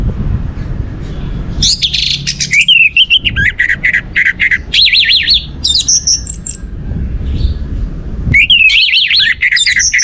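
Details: Orange-headed thrush song used to make other birds sing: loud extended bursts of rapid warbled whistles and trills, with high squeaky notes, separated by short quieter gaps of low noise.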